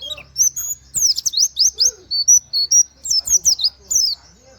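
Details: White-eye (pleci) singing rapid 'nembak' bursts with canary-like 'wit wit' phrases, meant for tutoring other songbirds. About a dozen sharp, high, descending chips and short whistles run in fast clusters with brief gaps.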